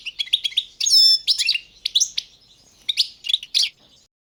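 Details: Balkan goldfinch (Carduelis carduelis balcanica) singing for a 2022 internet world championship: dense high tinkling twitters, a clear whistled note with harmonics, quick liquid chirps in bursts, no other sounds.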